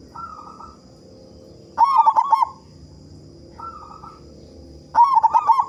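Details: Local zebra dove with a big voice, singing to prompt other doves to sing quickly: a soft warbled coo phrase, then a louder run of four or five rolling, bubbly notes, repeated twice over six seconds, with a faint steady high hum.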